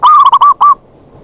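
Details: Zebra dove call used as a lure to attract wild zebra doves: a quick phrase of short staccato coos that runs into a longer level coo, then a brief pause and one final drawn coo. The background is quiet.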